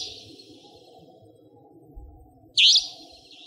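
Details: Savanna nightjar, a territorial nocturnal resident, recorded in Pingtung County, Taiwan: one loud, harsh, buzzy note near the end, over a faint steady high hiss and low rumbling background.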